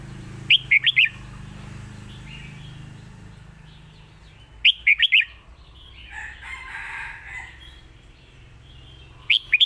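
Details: Lak wai style song of a red-whiskered bulbul, short bubbly phrases of four quick whistled notes repeated about every four seconds, over a low rumbling background with soft scratchy noises between.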